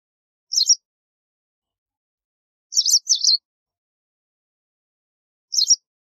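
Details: White wagtail giving short, sharp high chirps, one single note, then a quick double note, then another single, spaced about two to three seconds apart against silence.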